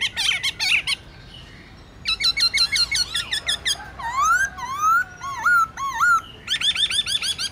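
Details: Forest-voice song of a black-throated laughingthrush for training caged birds: quick bubbling notes, a burst of rapid rattling, then clear rising and dipping whistles, ending in fast chattering.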